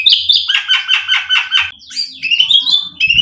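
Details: Murai batu, or white-rumped shama, singing to provoke and excite: about six rapid rolling buzzy notes, then squeaky rising and falling whistles, with faint low background noise.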